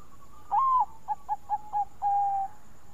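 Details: Bangkok-type zebra dove singing a melodious lure song: a rising drawn-out coo, then four short clipped notes and a long level coo, all mid-pitched and clear over quiet background hiss.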